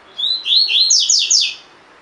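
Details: Double-collared seedeater, caged, sings a tui tui fibra phrase meant to train birds: a thin opening whistle followed by a fast string of high, falling, ringing notes lasting about a second.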